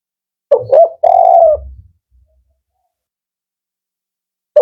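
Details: Single phrase from a male spotted dove of the 'Kuk 4' type, known for a firm, rhythmic voice: two short low notes then one long steady coo, followed by silence.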